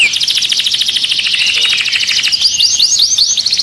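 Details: Canary song for mating and stimulating other birds: a dense high rolling trill followed by a few looping, rising-and-falling whistled notes repeated in quick succession.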